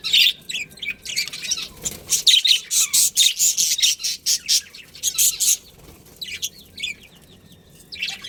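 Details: Budgies from a colony breeding pair chirp and warble in rapid, scratchy high notes, a dense chattering run in the first half that thins to scattered twitters near the end.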